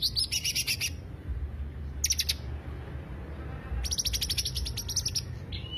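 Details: Lure song of the greater green leafbird: short bursts of rapid, high pulsed trills with quiet gaps between, over a soft constant low hum.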